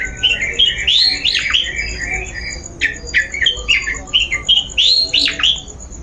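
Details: Long-tailed shrike lure sound for prompting another bird to sing: a rapid, irregular run of squeaky, chattering notes, mostly high and sliding, some buzzy, with a faint steady high tone throughout.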